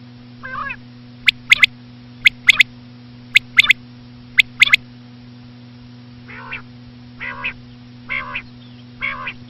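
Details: Common quail (batair), called a female, recorded for quail hunting: four crisp three-note calls at roughly one-second intervals, then a run of nasal, harmonic, quacking notes, all over a low constant hum.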